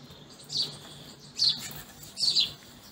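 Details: House sparrows feeding give short, bright chirps in three bursts about a second apart, with a low background hum.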